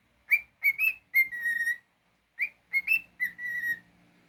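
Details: Domestic cockatiel singing two similar whistled phrases: quick rising notes leading into a long, slightly falling held whistle, with the phrase repeated after a short silence.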